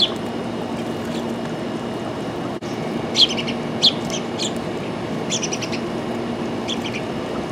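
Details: Sparrow chirping: brief high tweets, a few loud clipped notes in the middle and tight runs of several chirps toward the end, over continuous low droning noise.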